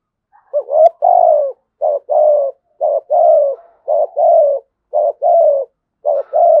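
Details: Spotted dove singing in the thổ sấm voice style, giving steady paired coos, each a clipped note followed by a drawn-out falling tone, about one phrase per second, with nothing else audible.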